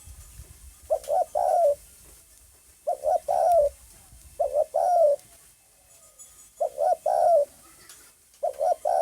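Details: Spotted dove cooing: phrases of three or four low, soft, hooting notes, the last drawn out and falling, repeated about every two seconds with short quiet pauses between; faint background hiss.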